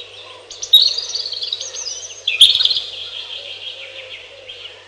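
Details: Robin delivering two long, high, jangling warbled phrases, the second tapering gradually into softer thin notes.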